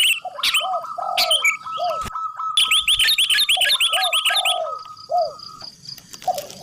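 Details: Zebra dove (perkutut) song: low, arched, bubbly cooing notes repeated in short phrases, mixed with a steady higher whistled note and bursts of sharp high chirping from other birds.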